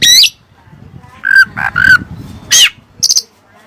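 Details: Oriental magpie-robin (kacer) singing Cililin learned song material: scattered sharp whistled and buzzy notes, a rising squeaky phrase, three mid-pitched slurred whistles, and a brief high chattering burst, with quiet pauses between notes.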